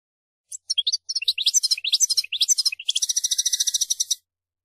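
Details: A European goldfinch (mqnin) performs a song bout of varied twittering, slurred and chattering notes that builds into a long, fast, even buzzy trill lasting over a second.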